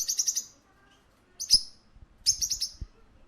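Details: High, rapid chirps from a parakeet in a pet shop, three short chattering bursts separated by quiet gaps, with soft low rumbling and clicks in the background.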